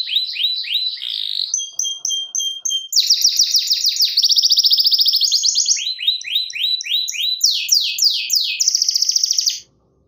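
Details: Canary song of fast repeated high notes, shifting through several trill types, some pure and whistled, others sweeping downward, continuous for nearly ten seconds before stopping abruptly.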